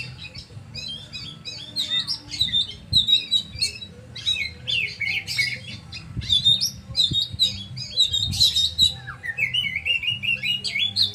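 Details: Energetic oriental magpie-robin song of dense, scratchy high notes in bursts, ending with a rising then level series of clear whistled phrases; a faint low hum runs underneath.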